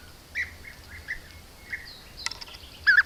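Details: Group of European bee-eaters hunting bees by an Italian apiary at Corte Franca, camera-trap recording; several soft rolling trills, then sharp clicks and a louder burred note at the end.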